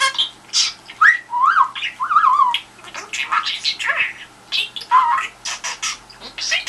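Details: Caged-pet budgerigar trying to draw a reply from the telephone: mixed squawks, gurgling warbles and a few short whistled slides, delivered in bursts with brief pauses.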